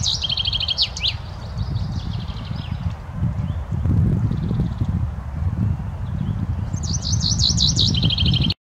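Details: Common chaffinch singing in Romania: a rapid high trill ending in a sharp flourish, a pause filled with rumbling wind or traffic noise, then another fast repeated phrase begins.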